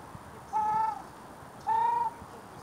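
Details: Ruddy shelducks at Andreevsky Pond on 15 April 2017, one giving two nasal, honking calls about a second apart, each held steady and slightly rising, over a quiet background hum.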